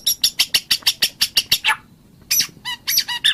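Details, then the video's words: White-rumped shama song from Sumatra, Peninsular Malaysia or Java: a fast run of sharp, broadband chattering notes, then a short pause, then varied harsher phrases mixing rasping and whistled elements. "Masteran Suara Burung Murai Batu"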